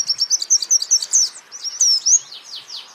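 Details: Songbird training recording of a white-eye singing a dense, high-pitched run of quick twittering notes and slurred chirps that fade into softer warbles toward the end.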